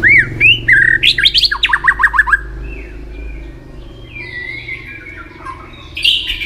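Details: Contest-trained White-rumped shama in energetic song: looping whistles, then a rapid series of about eight sharp down-slurred notes, followed by softer distant warbling over a low background hum.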